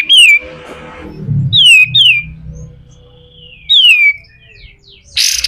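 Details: Pied triller in a harsh singing style used for training other birds, giving loud, clear whistles that slide downward, spaced by several quiet seconds and ending in a brief buzzy rasp.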